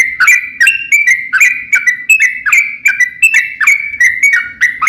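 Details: Trucukan (yellow-vented bulbul) delivering a forceful 'ropel panjang' lure song to provoke other bulbuls. Sharp chips lead into level whistled notes, repeated in a brisk, uneven rhythm over a faint low hum.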